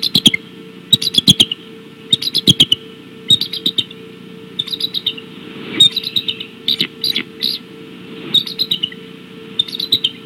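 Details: Decorah bald eagles calling on the evening of 17 March 2016: repeated runs of sharp, piping chirps, each burst of several quick notes, separated by short gaps over ten seconds, with a faint constant hum.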